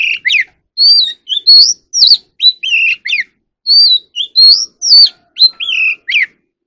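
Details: Competitive-singing magpie robin in training, kept caged: sweet whistled phrases of rising and falling slurs, sung in a steady stream of short notes with the same sequence returning partway through.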